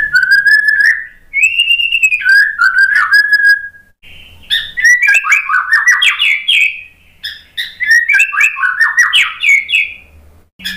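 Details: White-rumped shama song played as a lure so that a bird silent and stressed after its moult will answer. Clear whistled notes lead into fast, jumbled, chattering phrases with rising and falling twists, repeated in bursts.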